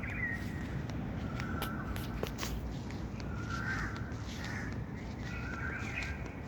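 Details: A few drawn-out harmonic bird calls in small bursts, a pause between groups, over a steady low-pitched outdoor rumble with a couple of sharp knocks.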